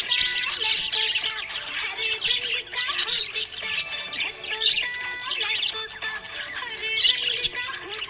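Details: A happy pet budgerigar gives a dense, scratchy stream of high chirps and squawks with no steady rhythm, over background music.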